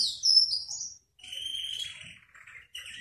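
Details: Soft canary song used to coax a canary into singing: a bright high whistled flourish, a short pause, then quieter wavering notes and a brief trill.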